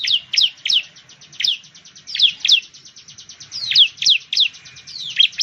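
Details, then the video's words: Bar-winged prinia, known locally as ciblek or perenjak jawa, from Indonesia, where it lives in plantations, rice fields and villages: loud, rapid sweeping chirps between 2 and 7k, with fainter ticking notes repeated in quick series. "suara burung ciblek/ciblek sound"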